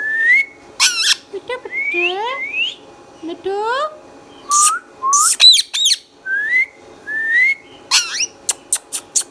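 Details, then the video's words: Talking pet green Indian ringneck parakeet in a lively sequence of upward-gliding whistles, some layered in harmonics, mixed with harsh screeches and ending in a rapid series of short sharp clicks or chirps. "Indian Mithu Tota | Indian Ringneck Funny Parrot Sounds videos | Green Ringneck Talking Parrot"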